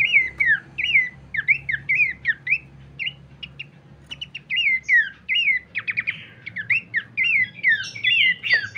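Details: Horsfield's babbler song used to lure and train birds: repeated bright whistled phrases falling in pitch, broken by brief rattling clusters of clipped notes, with faint low background noise.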